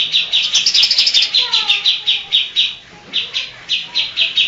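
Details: Mimicking greater green leafbird, its repertoire filled with Kapas Tembak, Cililin, Tengkek, Lovebird and Cucak Jenggot songs, delivering an almost continuous string of piercing high notes with a brief break midway.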